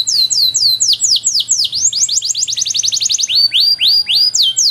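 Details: Canary singing a training song with rich cengkok: steady downward whistled sweeps about four per second, accelerating into a quick run of notes, then slower broad slurs again.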